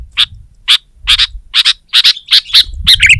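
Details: Sooty-headed bulbul in full song to overpower a rival: bright, clipped chirps repeated roughly twice a second, several paired, ending in a quicker burst of warbled notes over faint low background rumble.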